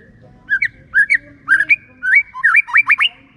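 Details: Lure song of a white-rumped shama in the clear 'ngeplong' style, used to provoke lazy shamas to sing: short paired whistled notes that build into a fast burst of steeply rising, upward-flicking whistles.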